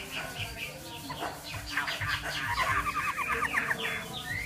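A Chinese hwamei sings a fast, varied run of clear whistled and slurred notes, rising and falling at mid-high pitch, over a faint low background hum.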